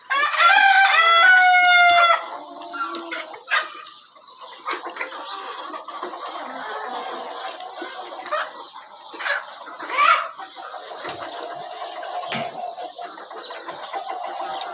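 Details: Chickens on a farm; a loud, ringing rooster crow lasting about two seconds opens, followed by softer scattered clucking, rustling and low farmyard noise.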